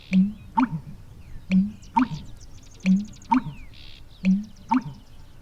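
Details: A male American bittern in a Newfoundland marsh gives its deep, gulping pumper-lunk, made by gulping air into his esophagus; a low hollow double note about every second and a half, like water draining, carrying far; faint clicks behind.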